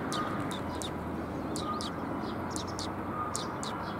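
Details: Sparrows coming to be fed behind a civic hall on 9 January 2022: clusters of short, high chirps and twitters in quick bursts over a steady low rumble of background noise.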